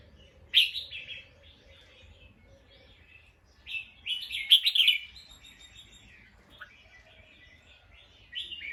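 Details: Bulbul calling in alarm, alert after hearing a sound: harsh, chattering bursts around the upper-middle pitch, a loud one near the start and another cluster mid-clip, with fainter twittering from other birds between them.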